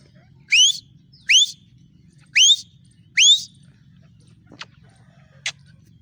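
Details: Female black francolin calling with four loud rising whistled notes, spaced roughly a second apart, followed by two brief sharp clicks, over a steady low hum.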